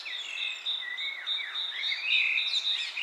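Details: Bird chirping amid wind-blown leaves: a high, steady pulsing trill runs throughout beneath sliding whistled notes that dip and rise.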